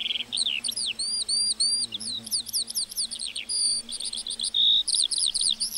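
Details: Meadow lark song: fast, high, liquid twitters and repeated looping whistles, some short runs of similar notes, flowing continuously with a brief buzzy note near the end.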